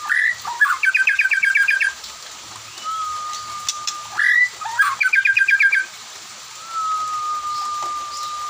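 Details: Afternoon song of a white-rumped shama, with others joining in: two bursts of rapid repeated chipping notes, each led by upslurred whistles and followed by a long, level, thin tone.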